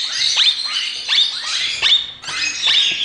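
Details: Plum-headed parakeet chicks making frog-like noises during spoon feeding: rapid series of buzzy, downward-sweeping rasps with bright high tones, repeated about every half second, continuous and fairly loud.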